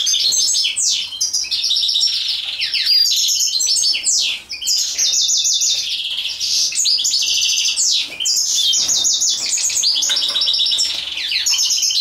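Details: European goldfinch song during mating, a sustained, loud, high twittering full of rapid trills, buzzy notes and quick slurs, almost without pause for twelve seconds.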